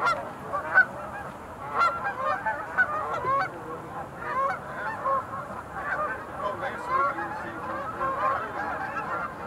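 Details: Many sandhill cranes at the Montezuma National Wildlife Refuge pool, 20 November 2021, keep up a rolling, rattling bugle chorus, with individual louder purring calls standing out against the crowd.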